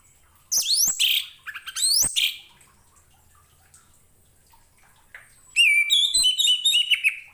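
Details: Orange-headed thrush, song for tutoring other birds: rapid rising sweeps and buzzy notes in two bursts, a pause, then a rich run of varied whistles and warbles.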